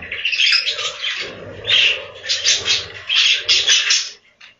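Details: Inside a budgie farm's breeding room, a crowd of budgerigars keeps up a busy, buzzy warbling chatter, with louder chirping bursts returning roughly every second before fading at the end.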